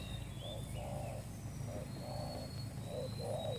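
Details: Spotted dove, a newly acquired bird kept as a decoy for trapping, giving soft low coos in short paired phrases, about six notes over four seconds, over a steady low hum with faint high whistles from other birds.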